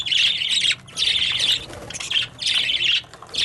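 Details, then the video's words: Loud birds in three harsh, scratchy bursts of squawking, each under a second long and separated by short quiet gaps. "Birds Making Loud Noises"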